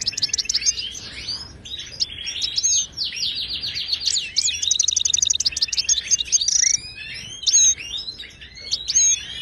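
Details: Moroccan European goldfinch, a wild bird giving Ouidani-style song for teaching caged birds: continuous bright twittering that builds into a fast even trill midway, then scattered tinkling notes and whistles.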